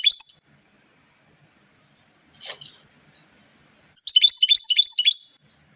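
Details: European goldfinch with a short chirp, a brief scratchy sound, then a rapid rhythmic burst of high twittering notes for over a second.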